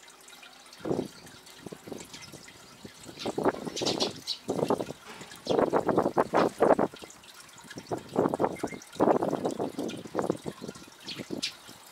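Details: Irregular bursts of splashing and trickling water, with no clear animal voice.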